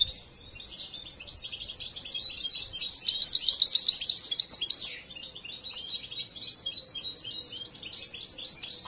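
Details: Song of a young European goldfinch still in training: high, fast chattering twitters building to a loud trilled peak midway, then softer, scattered tinkling notes.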